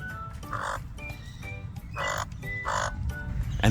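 An Australian magpie gives harsh, grating quardle bursts, three short rasping outbursts a second or so apart, a warning of predators, over soft background music and a narrator's voice.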